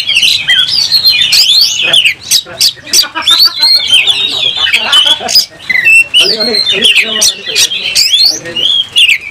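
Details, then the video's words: Kacer, an oriental magpie-robin, in full energetic song while fighting with its tail fanned and worked up: dense rapid run of varied whistles, harsh squawky notes and chattering trills, nearly continuous with short pauses. "Kacer gacor langsung tarung buka ekor bongkar emosi"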